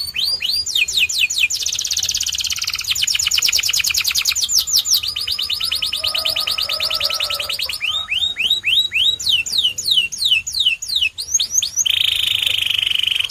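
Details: White canary in a long varied song: fast high rolls, dense buzzy trills, runs of downslurred whistles and a closing buzzy held note, without pause.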